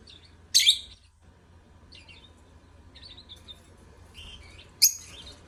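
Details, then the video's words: Lovebirds singing: a loud harsh screech, then a run of quieter twittering and chattering notes, then another loud screech about four seconds later. "Love Birds Singing"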